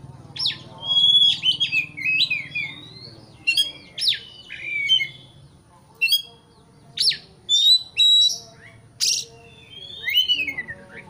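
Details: White-rumped shama singing to rouse a rival; rapid, varied outbursts of whistles, harsh squawks and clicking notes in repeated short bursts.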